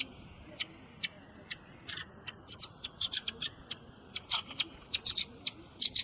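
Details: Velvet-fronted nuthatch lure track mixed with juvenile calls: irregular, scattered high chips and short double notes, some louder than others, over a quiet background.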